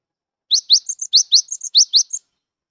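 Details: Still-wild singing Cinereous tit of the wingko type, whose song is used to coax mute tits into singing: a short burst of paired upslurred whistles interleaved with thin, higher chips, lasting under two seconds in quiet surroundings.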